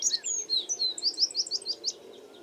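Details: American tree sparrow calling: a quick series of high, upslurred chirps, each about a fifth of a second apart, preceded by a few thin whistled twitters, over a faint low background hum.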